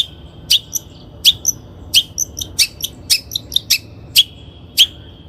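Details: Lure song of the long-tailed shrike for training birds: piercing high notes, each trailing into a thin ringing whistle, given irregularly with a cluster of quick chips in the middle.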